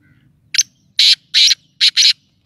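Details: Black francolin calling: one short harsh note, then two long grating, rasping notes, then a quick pair of similar harsh notes, loud and close over a quiet background.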